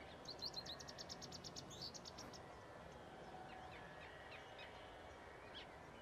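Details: Marsh warbler near Rijssen, 25 May 2016, opening with a dense, fast, high-pitched chattering trill lasting about two seconds, then a few faint scattered notes over background noise.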